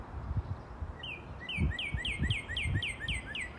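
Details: A male Northern Cardinal sings in the early morning near its home ground, giving a fast series of clear, downslurred whistles, about four per second, over a low rumble of wind or distant traffic.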